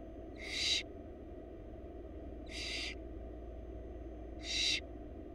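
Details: Wild barn owl babies begging while their mother feeds them at a Florida nest box; three hoarse, hissing screeches about two seconds apart, each under half a second, with steady low hum beneath.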